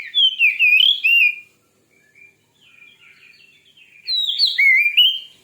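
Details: White-rumped shama singing, used to provoke another shama into song: a loud burst of swooping whistled notes, a quiet pause with soft faint twitters, then another loud warbling phrase.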